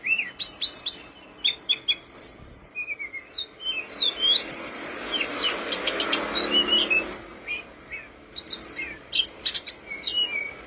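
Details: Tledekan gunung flowerpecker song used as tutoring material: busy high chips, ticks and slurred whistles throughout, with a broad rushing noise swelling in the middle, then more high twittering and thin whistles at the end.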